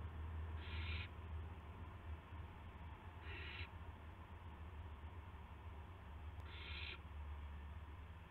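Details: Owl bringing a gopher to another owl, March 18, 2016, 8:00 PM; three short harsh hissing screeches, each under half a second, spaced about three seconds apart over a steady low hum.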